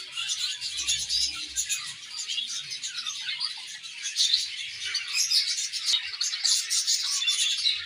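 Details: Morning aviary warbling from a pair of budgerigars: a steady, unbroken stream of high, scratchy chirps and twitters with no pauses, lively and even throughout.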